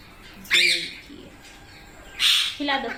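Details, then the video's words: Young Indian parrots being hand-fed indoors: two short, loud, rasping screeches about two seconds apart, a quiet gap between them, and a man's voice briefly afterwards. "Baby Parrot Sound"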